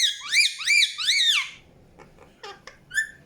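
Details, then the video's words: Indian ringneck parakeet: three loud arched, whistled squawks in quick succession, followed by soft scattered chirps and one sharp final note. "PARROT CHIRPING SOUNDS | NATURAL SOUNDS PARROT CHIRPING"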